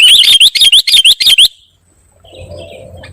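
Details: Kutilang, the sooty-headed bulbul, giving a loud noisy call: a quick series of sharp, up-slurred high notes for a second and a half, then near silence with a faint hum.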